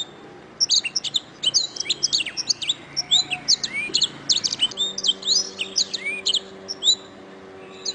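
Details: Canary master song for training birds: a dense run of high, sharp chirps and rattling trill phrases lasting several seconds, with brief downward-sliding whistles mixed in and a faint low hum behind.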